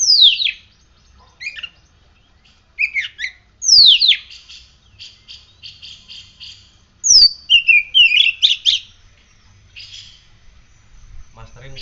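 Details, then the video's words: Caged oriental magpie-robin after morning sun and dew treatment gives strong varied song: shrill descending whistles, scratchy chattering runs and buzzy trills in bursts with short silences between, background quiet apart from a faint hum. "Kacer gacor"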